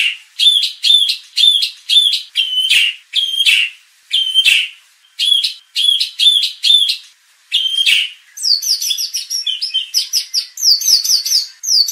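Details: White-rumped shama lure used to make contest birds agitated and sing their fill-in repertoire; steady repeated sharp whistled chips in bursts, then a rapid twittering run of high looping notes.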